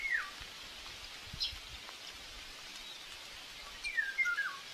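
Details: Young common buzzard in its nest at Tiszalök, Hungary, aggressive at breakfast feeding time on May 5, 2024. A short dropping whistle opens, then a few seconds of quiet, then a run of slurred descending whistles near the end.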